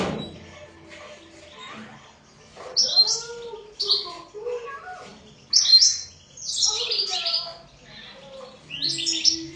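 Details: European goldfinch singing in short twittering bursts about every one to two seconds, high bright chirps layered over lower liquid tonal notes, with quiet pauses between phrases.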